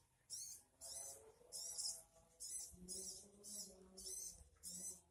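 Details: A sogon gives a run of eight harsh, rasping high bursts in steady rhythm, roughly two per second, with faint low tonal sounds beneath in the middle.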